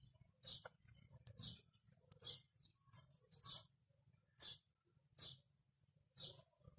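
A rose-ringed parakeet talks in short, raspy, high-pitched bursts, roughly one each second, over a steady low hum.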